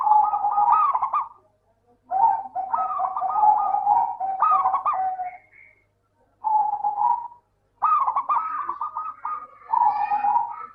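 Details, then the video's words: Zebra dove of the local type used to coax idle doves to sing, giving repeated rolling coo phrases in bursts of one to three seconds separated by short pauses, each ending in rapid stuttering notes. "Suara burung Perkutut Lokal - PINTAR PANCING PERKUTUT MALAS BUNYI"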